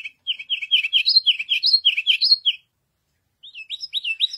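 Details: White canary warbling a bubbly sequence of quick tumbling notes with occasional higher whistles, breaking off for about a second, then resuming with rapid rising slurred notes.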